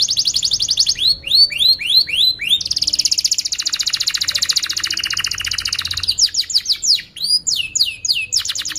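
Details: Long training song of a canary, used to teach young canaries and revive silent ones: rapid repeated upslurred whistles leading into a sustained fast rattling roll of several seconds, then sharp descending sweeps.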